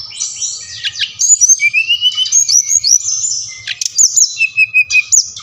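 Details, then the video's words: Brown-chested jungle flycatcher, Bali type, recorded for playing to captive birds to spur them into song: a lively run of high whistled slurs, rising and falling sweeps, and rapid chattering notes, with a quick pulsing series near the end. "Sikatan Rimba Dada Coklat | putar ini pasti SRDC anda ngamuk gacor dengan suara ini"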